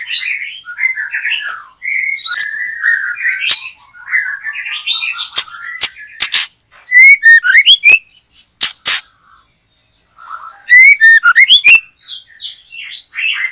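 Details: White-rumped shama in a backyard during bird trapping, singing vigorously. Long varied stream of clear whistles, warbles and fluty slurs, broken by sharp clicks and bursts of short, rapid, ringing trilled notes.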